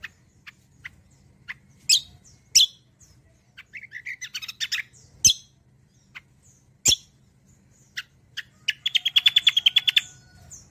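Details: Kecial kombo bird song, kept as a lure and song model for other birds: sharp high chirps and tweets in scattered bursts, ending in a rapid, even, rolling trill near the close.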